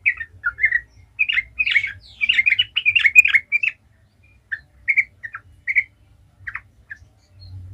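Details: Trucukan (yellow-vented bulbul) delivering gacor ngalas song as a lure for other bulbuls: three seconds of tumbling, bubbly chatter, then a slower string of separate short chirps spaced roughly half a second apart.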